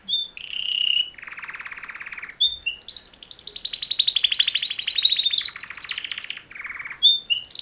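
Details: A mating song by two male canaries: a whistled note, a low, steady rattling trill, then a long, high, rippling roll that slowly drops and rises, ending in short chirps.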